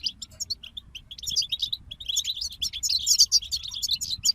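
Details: Group song of European goldfinches for songbird motivation: sparse high chirps build into a dense, tinkling twitter of overlapping trills and bright notes that grows louder toward the end.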